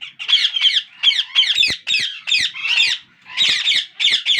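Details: Hungry parakeet chicks in a breeding setup calling for food from their feeding father; scratchy, pulsing squawks, several overlapping voices, rising and falling in short clusters.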